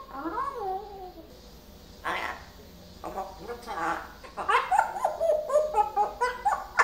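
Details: Pet parrot in a small room, newly learning varied words, gives a sliding phrase, then rising chatter building into a rapid series of pulsing, speech-like syllables.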